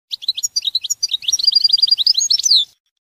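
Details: Rapid European goldfinch song: a quick stream of sharp, high tweets that speeds into a dense twitter before ending on a drawn-out downslurred note, in a quiet setting.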